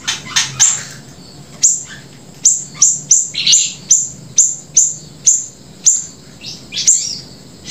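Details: Grey-breasted prinia in prolific 'gacor' song, played as a lure and tutor recording: sharp, high, downslurred chips repeated at uneven intervals of roughly half a second to a second, with a few broader buzzy notes mixed in.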